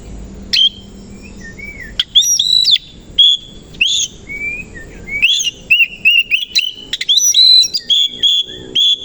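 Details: Oriental magpie-robin, the kacer koci, delivering a varied morning song while fanning its tail: clear whistles, chattering clusters and rising slurs tumbling together in rapid, loud phrases.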